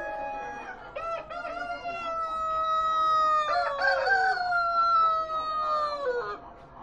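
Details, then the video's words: Roosters at the Expo Prado 2013 show giving the classic crow: a long, drawn-out cock-a-doodle-doo with a stuttering start and a falling, fading finish, with show-hall murmur behind. "Expo Prado2013 Gallos gallinas canto clásico"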